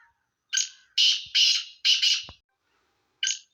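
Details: Black francolin (Sindhi kala teetar), a mix of its calls: five harsh, grating, broadband notes in quick succession, several doubled, followed by a pause and one more rasping note, with a quiet background.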